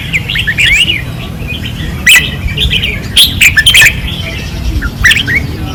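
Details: Caged red-whiskered bulbuls sing fiercely at a training perch in 2024. Soft warbles open, then loud, abrupt chirped phrases break in around the middle, over a steady low drone.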